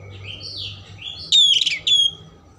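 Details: Caged Oriental magpie-robin with rich song used to provoke emotion and tail spreading: soft rising whistles, then a loud clear piercing whistle with a brief chatter and a second long whistle.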